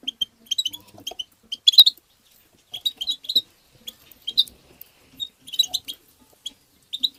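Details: European goldfinch singing fast tabtaba-style twittering to stimulate other goldfinches: dense, high, tinkling phrases of chirps and trills arriving in bursts every second or two, with faint low knocks.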